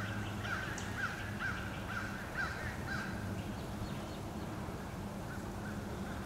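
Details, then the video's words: Crows harassing eagles, attacking them again and again, recorded 26 April 2015. Faint, hoarse caws repeat in a rapid run through the first three seconds. A steady low rumble of background noise sits beneath them. "Crows attack again and again"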